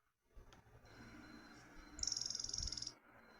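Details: Sickle-winged Nightjar (curiango do banhado), a small nightjar of marshes in Brazil: a brief burst of very high, dry, rapidly pulsed insect-like ticking notes after a faint thin whine, over low background rumble.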